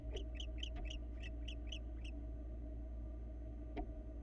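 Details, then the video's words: Florida barn owl nest cam, male bringing a rabbit to his mate; eight short high chirps in quick even succession, then quiet, with one brief knock later and low hum throughout. "Male barn owl brings rabbit to his mate!!"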